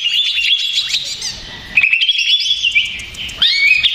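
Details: Agitated male greater green leafbird as a lure: a burst of fast high chirps, a quieter gap, then a long smooth whistle with a wavering trill, and a sharp rising sweep into loud notes at the end.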